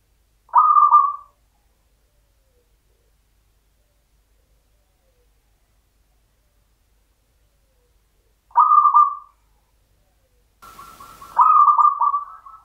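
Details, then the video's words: A local zebra dove in the Mataram rhythm style, a champion bird, gives short low cooing phrases several seconds apart, the last one preceded by a faint steady tone and brief noise. "PERKUTUT LOKAL IRAMA PAKEM MATARAM JUARA"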